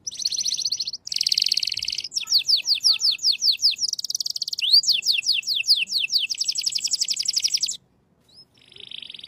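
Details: Shant-style canary song: dense rapid trills and buzzy rolls, fast repeated downward sweeps in series, sustained rattling tours, a brief pause near the end, then the song resumes faintly.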